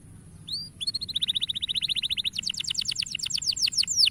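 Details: Canary song meant to encourage young canaries to sing: a short rising whistle, then a fast even trill of high notes, switching to a quicker run of steep down-slurred chips.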